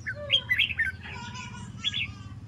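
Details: Red-whiskered bulbul practising competition song: a run of bright, bubbling whistled notes, a brief gap, then another short chirpy phrase, with a low rumbling hum throughout.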